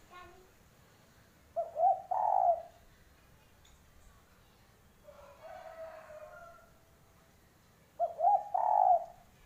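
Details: Spotted dove giving its characteristic call: two phrases of short stuttered notes running into a longer falling coo, about six seconds apart, with a faint breathy sound between them over steady background hiss.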